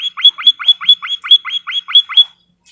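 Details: White-headed munia training recording for caged birds: about ten quick rising chirps, each sweeping up to a sustained high tone, repeated roughly four times a second before stopping, then silence.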